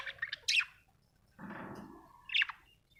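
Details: Happy budgerigar making sharp, scratchy chirps, with a softer buzzy, drawn-out note in between and a faint low hum throughout.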